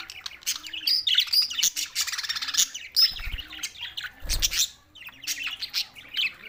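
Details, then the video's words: Budgerigars, June 7, 2024, Larkana, Sindh: lively twittering and chirps, with a pause around four seconds where low thumping handling noise is heard, then chatter resumes. "lonely Budgies Barids"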